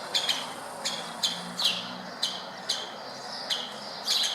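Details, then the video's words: Woodpeckers at a city window in Berceni, Bucharest, Romania, giving single sharp kik notes about every half second, some slightly harsher, with a low faint hum behind. "Woodpecker talk"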